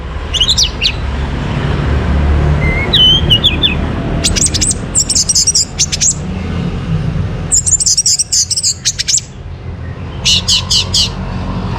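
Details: Orange-headed thrush singing in the morning, a recording meant to lure birds into breeding condition: scattered high chattering and whistled bursts, some rapid and buzzy, with steady low vehicle noise underneath.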